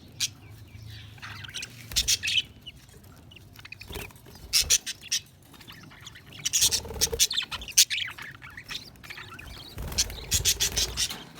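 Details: Several budgerigars chatter in bursts of high, scratchy chirps and brief squawks, with quiet gaps between the bursts and occasional clicks.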